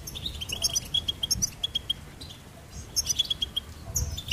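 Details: Goldfinch singing: bursts of rapid, high tinkling twitters and bright repeated chirps, broken by short pauses, over a soft low rumble.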